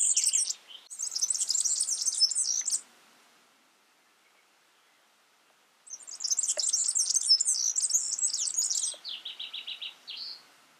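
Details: A yellow-fronted canary (Mozambique singing finch) in the wild sings two long bursts of fast, high, jumbled twittering and trills, ending in clear repeated whistled notes, with a quiet pause between.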